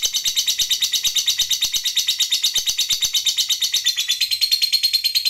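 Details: Fighter lovebird in long 'ngekek' chattering, played to make other lovebirds respond; an unbroken stream of shrill, buzzy pulses repeated roughly three times a second, steady in pitch and loudness.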